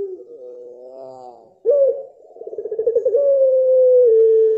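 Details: Mottled (blorok) pelung dove cooing: a low wavering coo, a sharp break, then a pulsing run of quick beats that smooths into a long, steady, slightly falling drawn-out note.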